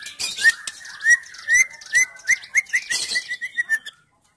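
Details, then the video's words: Captive female white-rumped shama used to trigger singing in silent males delivers a rhythmic string of bright upslurred whistles, about a dozen in a row, speeding slightly before stopping abruptly. "MURAI BATU BETINA GACOR BISA UNTUK TERAPI BURUNG BAHAN DAN MURAI MACET BUNYI AGAR GACOR"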